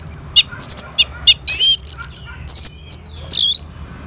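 Orange-headed thrush giving a varied, high-pitched song of sharp whistles, squeaky notes and scratchy bursts, phrases tumbling quickly one after another.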